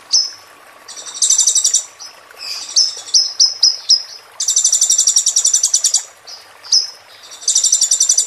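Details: Konin (Van Hasselt's sunbird) song in the roll tembak style, made for training a bird during moult. Long, dense, high buzzy rolls alternate with a series of short piercing whistled notes, about five in quick succession.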